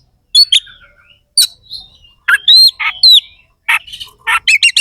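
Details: Oriental magpie-robin (kacer) delivering coarse, sharp fill-in song meant to rile rival contest birds: scattered scratchy notes and thin whistles, then loud looping whistled slurs and harsh buzzy bursts at irregular intervals.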